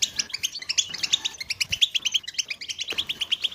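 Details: Collective European goldfinch twittering used to spur males into song: rapid bright chirps and liquid trills stacked in a continuous busy stream, overlapping voices with no silent gaps.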